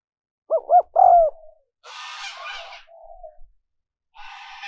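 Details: Spotted dove used as a lure for wild doves: two short hooting notes and a longer falling coo, followed by bursts of broad rustling noise and a faint low tone.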